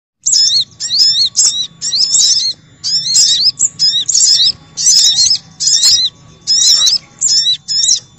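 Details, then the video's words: Crimson sunbird lure call for wild birds: shrill, squeaky chip-and-twitter bursts repeated about once a second in an even, insistent rhythm. "Suara Pikat Burung Sogok Ontong Ribut"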